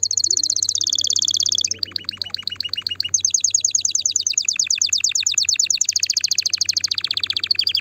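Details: Singing canary, song chosen to stimulate the female: continuous chain of rapid trills changing pitch and tempo from phrase to phrase, with a faint low hum underneath.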